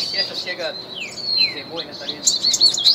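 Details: Song of a trained Reinamora: a steady high whistled tone broken by downward-slurred notes, then a rapid burst of bright, buzzy chips near the end.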